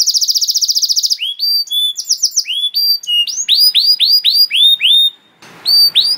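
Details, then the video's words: Canary singing as a teaching model for young canaries, opening with a rapid buzzy trill, then varied rising and falling whistled notes, a brief gap and faint background noise. "KENARI GACOR PANJANG CENGKOK ISTIMEWA COCOK BUAT MASTERAN KENARI PAUD || VOICE OF CANARY"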